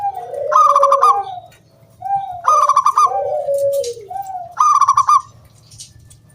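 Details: Zebra dove singing to lure other doves into song, round clear 'kung' voice: three phrases, each a short lower lead-in, then a rapid stuttering run of bright notes, then a descending coo, over a faint low hum.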